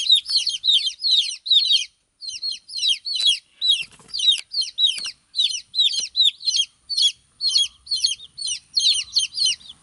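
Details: Hen's chicks crying while the mother is away; loud, thin, downward-sweeping peeps in distinct short bursts with small gaps, a brief pause near two seconds, and faint knocking sounds below.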